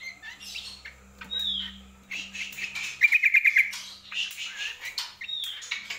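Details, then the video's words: Greater green leafbird in full song: scattered whistles and buzzy notes, then a quick run of about six sharp repeated notes, with a steady low electrical hum beneath. "CUCAK KOMBO GACOR"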